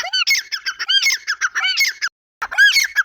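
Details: Grey francolin voice: squeaky, arched, ringing notes delivered in quick succession, a brief silent gap, then another loud burst of similar notes.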